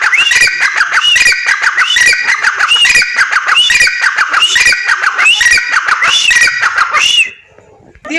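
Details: Female grey francolin calling: a rapid, insistent series of squeaky, ringing notes repeated over about seven seconds, each note rising then falling in a hoarse, looping pattern, then stopping abruptly.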